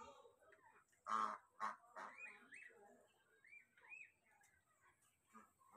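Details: Ducklings crying while looking for their mother: thin, rising-then-falling peeps repeated in short runs, with a couple of loud broad bursts of noise near the start.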